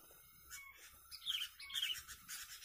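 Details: Sooty-headed bulbul at a decoy-bird contest held by a bird-trapping community: bright chirped phrases, with a few rising and falling notes and a short cluster of sharp trills near the end, over a quiet background.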